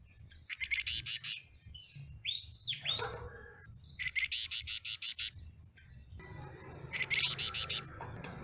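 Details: Flamboyan with a stubby tail, newly obtained from a mixed bird seller's batch, singing in bursts of rapid buzzy chips, interspersed with slurred whistled notes; a steady high whine runs underneath.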